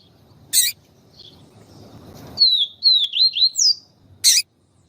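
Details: Yellow-bellied seedeater, papa-capim siu siu, female calling to warm up the male: a series of high, looping whistled notes strung together quickly, bracketed by two loud clicks.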